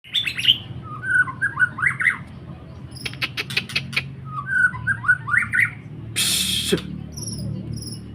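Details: White-rumped shama (murai batu) singing short bright whistled phrases, each a quick run of rising and falling notes, repeated in bursts over a low background hum, broken by a loud rustling burst near the end.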